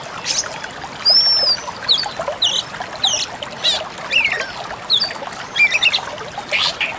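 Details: Pied Bushchat song for training caged songbirds: an arched high whistle, then dense scratchy twittering and short buzzy bursts.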